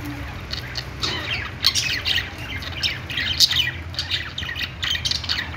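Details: Budgerigar singing: a busy stream of short high chirps and squawky notes, with denser bursts near the middle and end, over a low steady background hum.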